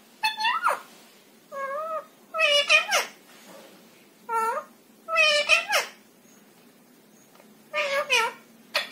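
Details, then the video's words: Ringneck parakeet kept as a pet, talking and repeating learned Hindi words such as 'Radhe Radhe' and 'papa'. Nasal, wavering speech-like syllables come in separate bursts across a quiet room. "cute ringneck talking| बोलने वाला गजब तोता।"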